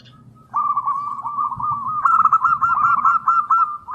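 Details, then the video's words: Local zebra dove with a long opening phrase, used to prompt and train others: sustained trilled coo that swells into a fast burbling run of rolling notes, low background hum throughout. "Perkutut Lokal GACOR !! Suara ANGKATAN PANJANG, Pancingan & Masteran Segala Jenis Perkutut AMPUH !!"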